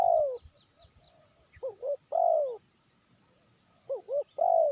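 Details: Spotted dove call used for luring: paired quick rising-falling notes followed by a long, slurred descending coo, repeated twice, with faint low rustling and a steady high electronic tone.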